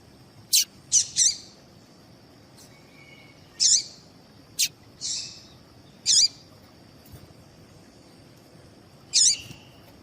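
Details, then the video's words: Female double-collared seedeater calling, used to make males sing: short, sharp high chirps and buzzy notes given singly or in quick pairs at irregular intervals of one to three seconds, over a steady high-pitched hum. "Melhor Piado de Fêmea de Coleiro para Foguear Coleiro tui tui Com Piado de Fêmea de Coleiro Chamando"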